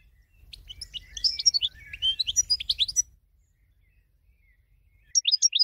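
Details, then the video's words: Winner goldfinch, recorded for training other birds, delivers a three-second jumble of rapid twittering and chirping notes, then a pause and a brief run of high chirps. "BEST 12h GOLDFINCH Winner"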